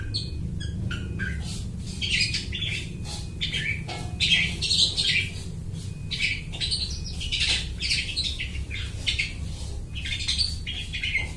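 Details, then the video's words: Long-tailed shrike in chattering mimicry of other birds, used as a trapping lure; a long stream of mixed chirps, squeaks and harsh notes, irregular and busy, with a low hum throughout. "suara burung cendet gacor niruin suara burung lai"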